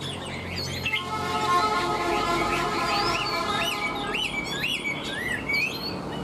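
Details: Caged hwamei with a fanned tail and a good singing voice. Looping whistled notes, some with wavering upslurs, sound over background music with sustained tones.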